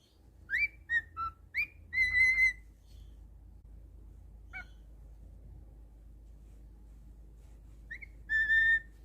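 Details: Male cockatiel kept as a pet gives a few swooping and steady whistles, falls quiet through a stretch of low room hum, then ends with one long held whistle.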